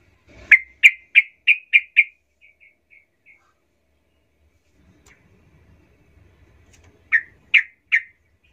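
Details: Sooty-headed bulbul pancingan trucukan, a lure song meant to rile up other bulbuls: five loud sharp chirps trailing into softer notes, silence with a faint low rumble, then three more loud chirps.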